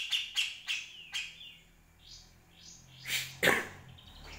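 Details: Grey-cheeked Bulbul, recorded as a tutor for other birds, giving a few separate sharp downslurred notes, a thin drawn-out whistle, then two loud harsh bursts.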